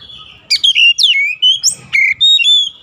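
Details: Oriental magpie-robin (kacer) in daily song training for a long roll: a lively phrase of clear whistles, swooping slurs and sharp upward notes repeated in quick succession.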